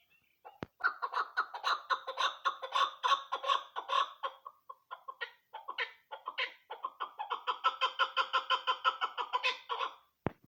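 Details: Female chukar partridge used as a lure for hunting, calling in a long fast run of harsh cackling chuck notes, nearly three per second, with a short pause midway before the rhythmic chatter resumes.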